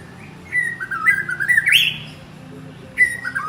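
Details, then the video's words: White-rumped shama male calling his mate: a phrase of level whistles climbing in steps to a loud rising, slightly harsh flourish, followed after a pause by the start of another whistled phrase. "Chích choè lửa gọi bạn - Shama bird calls his partner"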